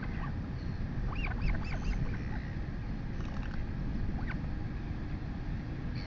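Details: Female royal albatross chick begging as its mother feeds it brunch in New Zealand, late morning, August 2020. A quick cluster of thin, bent squeals comes early, then a single call later, against constant low wind roar.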